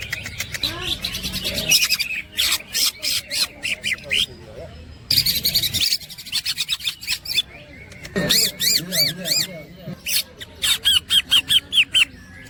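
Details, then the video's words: A greater green leafbird (cucak ijo) sings a loud, varied stream of high chirps, rapid trills and looping, slurred whistles in quick bursts, with brief pauses between phrases. "The green cucak bird makes a sound cucak groping woodpecker"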